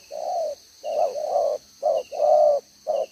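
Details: Caged decoy spotted dove with a two-row necklace, cooing in the single-ending style called 'gáy 1 hậu', recorded 11/6/2023: low hollow coos in a broken series, short and long notes alternating, with a steady high electric-like hum behind.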